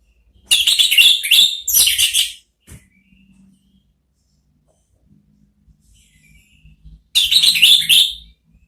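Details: Orange-headed thrush therapy song to lure a thrush into replying, dense, loud scratchy chattering bursts at the start and end with a long near-silent gap of faint low sounds between.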